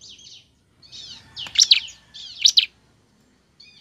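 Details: Bar-winged prinia song, played as a lure to get captive birds singing. Thin, high, buzzy phrases alternate with louder, piercing doubled chips, with pauses of under a second between phrases.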